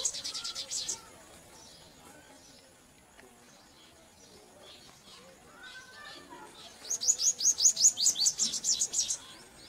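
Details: Purple sunbirds feeding their chicks give two bursts of rapid, very high, thin chirps, about two per second, with a quiet stretch between them.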